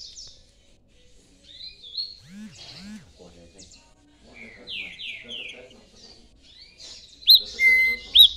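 Green-winged saltator giving short, clear whistled phrases, some sliding downward, with a sharp high note near the end; a man speaks quietly underneath.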